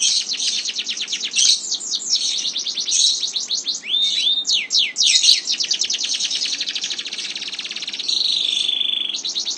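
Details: Canary in a long roll: dense rapid trills and descending whistled sweeps, with a sustained high rolling tone near the end.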